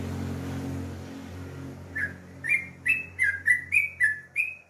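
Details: A sooty-headed bulbul in the morning bursts into fast, gurgling whistled notes after two seconds of low rumbling background noise, the slurred phrases tumbling out about three per second.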